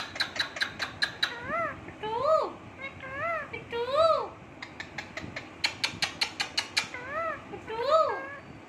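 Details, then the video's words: A pet Indian ringneck (rose-ringed) parakeet sitting on its owner's hand indoors gives quick runs of sharp clicks and chirps, then arched, speech-like phrases that rise and fall, repeated in short bursts as it "talks". "Voice Ringneck Parrot"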